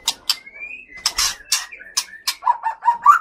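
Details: Caged male white-rumped shama from Bahorok in the Leuser mountains, Aceh, a fighter bird singing aggressively at a rival: sharp clicks alternate with long thin whistles, ending in a rising warbled series.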